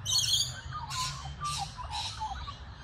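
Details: Australian magpie (Gymnorhina tibicen, subspecies telonocua) gives four harsh, raspy bursts about half a second apart, mixed with a few brief mellow warbled notes, over a low background rumble.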